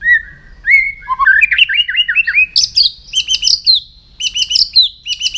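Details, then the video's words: White-rumped shama in morning song practice, opening with a clear whistle, then climbing slurred notes building into fast, rhythmic bursts of high metallic trills and whistles, repeated several times. "chòe lửa hót sáng luyện giọng chòe lửa hót"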